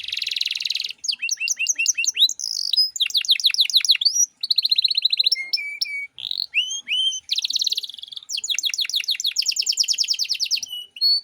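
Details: Canary in full 'cengkok mewah' song, played as a master for teaching untrained birds: varied phrases of buzzy bursts, quick rattled trills, pure whistled slides and sharp chips following one another with brief pauses.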